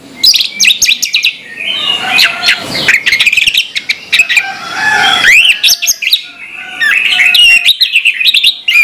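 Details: Morning song of an orange-headed thrush: a dense, rambling outpouring of chattering notes, buzzy runs and sweeping whistles. The phrases tumble fast with barely a pause.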